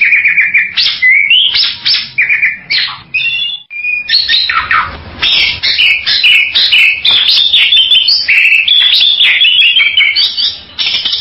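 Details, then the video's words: Bali myna calling continuously, mixing harsh chattering squawks, short whistles and broken buzzy phrases at a quick pace, roughly two notes per second, with a brief pause midway. "SUARA BURUNG JALAK BALI"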